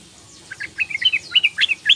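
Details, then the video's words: Young female sooty-headed bulbul calling for males, played to stir quiet males: a quick, slightly accelerating series of short chirps and little slurred whistles over two seconds. "PANCINGAN TRUCUKAN BETINA MUDA memanggil jantan trucuk malas bunyi jadi ropel gacor"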